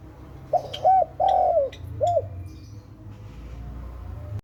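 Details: Spotted dove (tekukur) giving a short phrase of soft, low cooing notes: two brief coos, a longer drawn-out coo, then a final short coo, with faint high chirps from other birds and quiet background hum.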